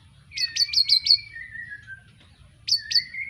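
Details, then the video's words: Recently moulted young white-rumped shama from Pemalang, Indonesia, of Arko stock, delivers a series of five sharp high chip notes with a trailing descending whistle, a pause, then two more chips and a rising whistle. "Kicau Murai batu lepas trotol,suaranya heboh"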